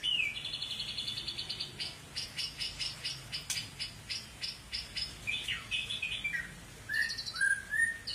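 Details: Long-tailed white-rumped shama of the Medan type giving a high buzzy trill, then a series of evenly spaced sharp ticking notes, ending with slurred whistled phrases.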